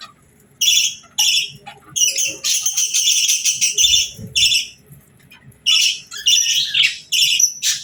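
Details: A sweet female budgie chirps on a calm morning while the flock eats and bathes: loud, buzzy, high chirps in separate bursts of about half a second, with quiet gaps between.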